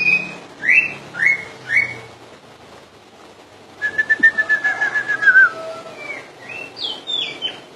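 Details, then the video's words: Common iora song: three rising whistles, a pause, then a pulsed, fast trill sliding gradually downward, followed by a few higher scratchy notes. "burung cak ijo full dor"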